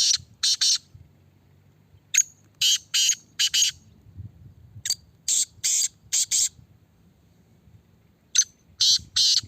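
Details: Black francolin, a caged Kala Teetar in a red cage under test, calls three times. Each loud phrase opens with a crisp tick and runs into four rough, grating syllables, with brief quiet gaps between phrases.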